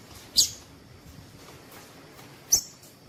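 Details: Two brief, very high, sharp chips about two seconds apart from a female double-collared seedeater, a call used to stimulate males into song, over a faint hiss.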